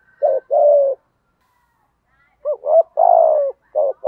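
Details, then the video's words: Spotted dove in the giọng thổ style pushing out its coo: a short double note and a longer, falling coo, then a fresh phrase after a pause of about a second and a half. The background is otherwise quiet. "cu gáy giọng thổ thúc gù"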